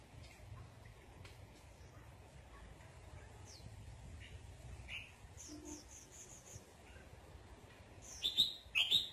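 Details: While a red-whiskered bulbul sunbathes, faint scattered high notes give way to a series of thin whistles, then two loud, sharp chirps close together at the end.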